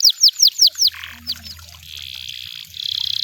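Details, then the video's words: Wild canary: five loud downward-swept whistled notes, a brief harsh note and two softer slurs, then a steady buzzy trill and a fast high pulsed trill. "The Sound of Canaries in The Wild! You Will Love The Sound"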